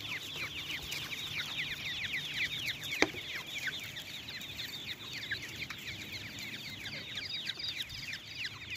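Black francolin chicks give a steady stream of thin, high, downslurred peeps, many overlapping several times a second. A single sharp click sounds near the middle.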